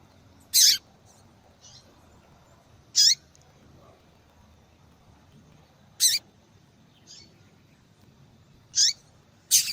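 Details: Double-collared seedeater female, a call used to make captive males sing; loud high chips spaced irregularly, two close together at the end, with fainter short notes in between.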